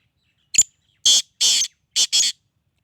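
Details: Sindhi black francolin calling: a short sharp note, then four harsh, grating, broadband bursts, the last two close together as a pair. There is silence between the notes.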